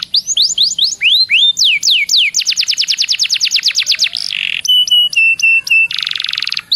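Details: Canary singing as a lure to make other canaries sing readily: rising and falling swooping whistles, a quick run of downslurred notes, a harsh burst, clipped repeated whistles and a final rapid buzzy trill.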